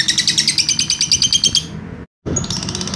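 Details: Lovebird recorded as a training master, delivering its 'ngekek' trill: quick series of bright, high pulsed notes that breaks off after about two seconds, then resumes after a brief silence.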